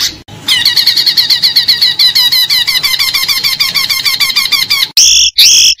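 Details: Oriental magpie-robin, a competition bird, performing a long fast rattling trill of repeated warbled notes, followed after a cut by two loud buzzy bursts.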